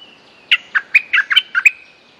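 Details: Bright, chirpy phrase from a Streak-eared bulbul, the fierce territory-holder lure song: seven quick notes alternating higher and lower, over a thin, steady whistle in the background.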